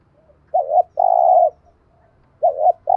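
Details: Spotted dove with a fine voice, its calls used to train decoy birds: low, soft coos, a short double note followed by a longer steady one, with the pattern then starting again.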